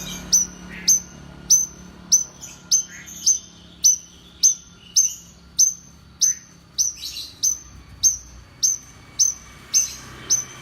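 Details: Long, steady series of sharp, high whistles from a champion-grade Horsfield's bush lark, roughly two per second, each falling slightly. A few scratchy, lower twittering notes break in around the middle.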